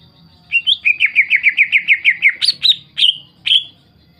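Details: Lure song of a greater green leafbird meant to make rival leafbirds answer and sing: a quick rattling series of about twelve sharp downslurred notes, then three longer ringing whistles spaced apart.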